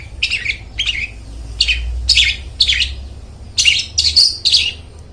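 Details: Long-tailed shrike singing loudly, as a lure for mute shrikes: a string of harsh, rasping chirps, roughly two per second, some with squeaky, buzzy overtones, against low background rumble.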